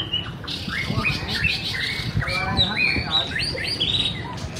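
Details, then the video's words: White-rumped shama in song while dancing: a fast, varied series of whistled and buzzy notes, several in quick succession and some with rapid trilled texture, against a low rumbling hum. "BIRD SINGING| Bird White-rumped shama - Beautiful Birds,Dancing And Singing Chirping Sounds Great"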